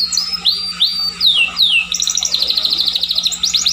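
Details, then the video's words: Scotch Fancy canary sings several clear upward-swept whistles, each about half a second apart, then switches to a fast high pulsing trill; faint hum beneath. "kenari scotch fancy atau kenari SF"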